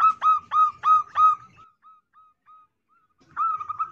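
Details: Female zebra dove calling, used to lure males: loud bursts of rapid, harmonically rich notes near the start, a fading trail of soft repeated coos, silence, then another loud burst of quick notes.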